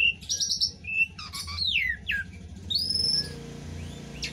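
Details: Asian pied starling sings a rapid medley of clear whistles, chirps, buzzy notes and sweeping slurs, including imitations of other birds such as cucak ijo, kacer and trucuk, over a low background hum.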